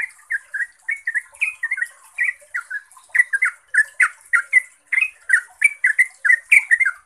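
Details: Loud, continuous ropel song of a yellow-vented bulbul, used to make other bulbuls answer: rapid bubbly chattering notes, slurred and warbled, in a near-unbroken stream growing denser toward the end.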